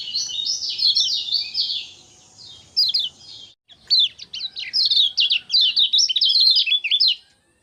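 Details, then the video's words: Kecial kuning, a white-eye, singing busily in ngejos 'gacor' manner on 6 December 2024. A thick run of high scratchy twitters, a short break, then choppy rapid chirps rising and falling in quick succession. "Kecial Kuning Bikin Rajin Bunyi Ngejos Gacor"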